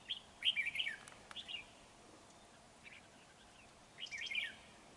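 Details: Red-whiskered bulbul recorded at a trap on 31 January 2019. Two bursts of quick, chirpy warbled notes come at the start and again near the end, with a quiet gap and low hiss between.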